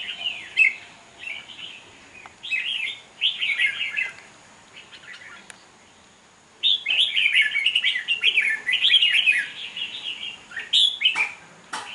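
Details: Red-whiskered bulbul, a wild-caught bird, singing in a song contest in Hoa Binh, Vietnam: bright warbled phrases in bursts, a pause, then a long rapid run of chirpy notes with sharp clicks.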